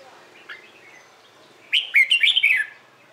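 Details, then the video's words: Competition-style morning song of a Red-whiskered bulbul used to stimulate other bulbuls; after a faint note, a loud, fast, chattering warble of six or seven jumping notes. "LUYỆN CHÀO MÀO HÓT ĐẤU/ HƠN 12 P CHÀO MÀO HÓT BUỔI SÁNG"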